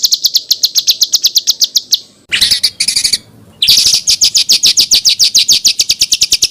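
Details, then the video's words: Small songbird with coarse bursting phrases, recorded as training material for contest birds in Indonesia: long series of rapid sharp high notes, broken by a short rasping burst and a brief quiet gap. "SUARA BURUNG KECIL TEMBAKAN KASAR"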